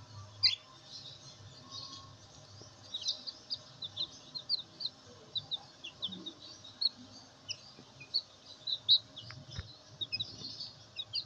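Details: Black Bantam chicks, fancy domestic chickens, keep up a steady chorus of high, thin peeps, several overlapping every second, with a faint low background hum.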